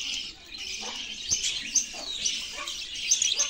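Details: Budgies singing: a continuous high, scratchy chattering warble, bright and dense, with short squeaky notes rising above it and a few louder chirps near the end.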